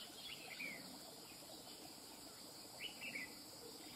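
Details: Two brief, bright whistled phrases from a wild-caught red-whiskered bulbul, one near the start and one near the end, over a constant shrill insect hum.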